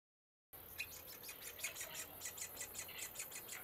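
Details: Middle spotted woodpecker chick looking out of a tree hole and calling: a fast series of thin, high chirps, several each second and irregularly spaced, over steady faint background hiss.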